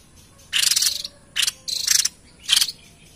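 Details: Lively white-chested babbler song meant to lure wild birds: four rasping, buzzy bursts, the first longest, spaced about half a second apart over a quiet background.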